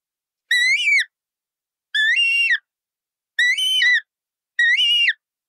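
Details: Colourful parrot calling four times, each loud nasal squawk about half a second long with a rich harmonic tone that bends up and down, repeated roughly every second and a half in an otherwise silent recording.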